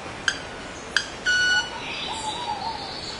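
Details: Male club-winged manakin producing wing tones: two sharp ticks about two-thirds of a second apart, then a pure ringing note held for about a third of a second. Soft whistles from other birds trail off afterward.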